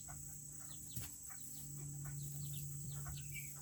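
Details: Tiny Serama chickens in a coop on a cool day give scattered high chirps and short clucks while a low droning hum rises and a steady high whine continues.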